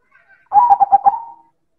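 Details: Single loud manggung phrase from a silver zebra dove (perkutut): five short, knocking coo notes in a fast run, then a sustained smooth tone that fades out. Clean, quiet background.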